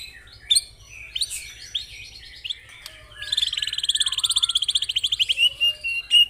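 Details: White-rumped shama, real bird recorded as a training song with fierce 'tembakan' bursts: scattered sharp high whistles and slurred notes, then a fast, even, buzzy trill of rapid repeated notes for about two seconds, ending in clipped whistles.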